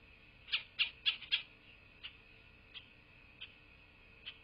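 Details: Bald eagle calling at its nest in southwest Florida, recorded by a nest camera on 8 November 2023 at midday: a loud rapid run of four shrill piping notes, then single thinner chirps spaced further apart, over constant low hum.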